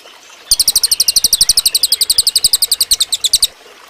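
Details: Cililin bird song used as a training recording for other birds: a fast, even series of sharp, high chirping notes, about ten per second, lasting three seconds before stopping abruptly.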